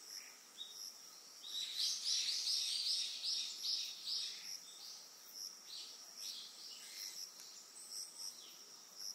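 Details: Eastern yellow wagtail on Amami Ōshima, Japan: a rapid run of high thin chirps around two to four seconds, then scattered fainter notes against steady high insect-like hiss.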